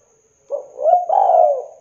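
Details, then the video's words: Spotted dove (tekukur) used as a singing lure: one soft, low coo that starts with a short note, swells and then stretches into a long level drawn-out note, against silence. "PANCINGAN TEKUKUR BAHAN AGAR CEPAT GACOR BUNYI"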